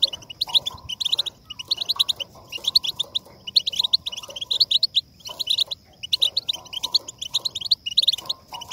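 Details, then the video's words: Goldfinch song meant to stimulate singing, with energetic phrases of fast, high, jingling notes, several bursts per few seconds broken by short silences, and quiet lower noises in the background. "La voz del jilguero para motivar el canto"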